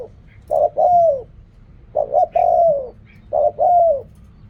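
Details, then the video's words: Three rhythmic phrases from a spotted dove in the riak kham, khu kham and ok rong styles, each two brief coos leading into a long, smooth, descending coo, with quiet gaps between. "เรียกคำ คูคำ อกร่อง เสียงนกเขาใหญ่"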